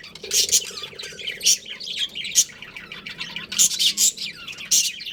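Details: Pet budgerigars from a breeding pair and family group chirping: sharp high squawky notes and rapid chatter in clustered bursts, several loud accents, constant warbling between them.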